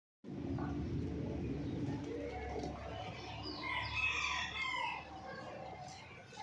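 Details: Chicken during mating, a drawn-out harmonic crow-like call rising and wavering in the middle of the clip over a steady low rumble of background noise.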